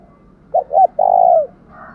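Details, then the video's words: A single fighting-coo phrase from a decoy spotted dove meant to set caged doves calling: two brief hollow notes, then a long, smooth coo falling away at the end, with low background hum. "chim cu mồi thúc đấu vang cả xóm, mở vdeo lên bảo đảm ở nhà có con bổi nào đều mở miệng hết"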